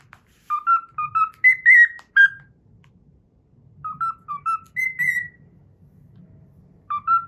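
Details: Cockatiel whistling the Pythagora Switch opening tune it learned, short paired whistles climbing to longer higher notes, repeated after a pause, with a low rumbling background sound.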